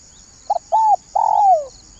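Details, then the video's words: Spotted dove lure call, banggo bocor style: a short clipped note, a level hoarse coo, then a long coo that falls steadily; constant high hiss behind. "suara tekukur banggo bocor"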